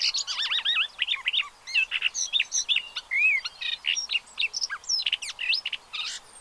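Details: Pied avocets with their chicks at Séné Nature Reserve in the Gulf of Morbihan, 30 April 2023. Rapid overlapping high chirps and wavering whistled notes, some looping up and down, pour out steadily from several birds.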